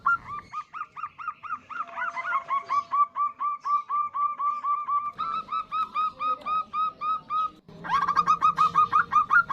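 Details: Local female zebra dove calling a male as a lure: dense overlapping series of quick coos, apparently more than one layer of calling, ending in a louder, faster burst over rumbling background.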